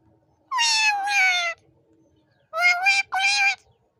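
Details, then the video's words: Talking parrot saying "mammy" over and over; two-part voice-like words, each a pair of harmonic syllables about a second long, one pair early and one near the end, in a quiet room. "talking parrot mithu say#mammy mammy"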